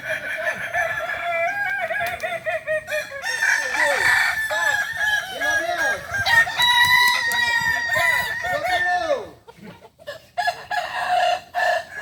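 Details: Crowing contest final for kukuak balenggek chickens at Ampang Kualo, Kota Solok, Sunday 8 September 2024. Long, layered crows with gliding, stepped notes overlap from several roosters, then briefly fall quiet before crowing resumes near the end.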